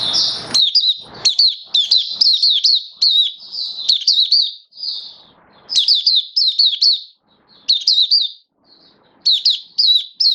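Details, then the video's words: Recorded 19 September 2022, a caged white-eye kept for the bird hobby sings in build-up form: repeated clusters of rapid, bright, high slurred notes with brief silences, opening with a short clatter. "Mata Puteh V2 Raja Buka Sing Build Up Form"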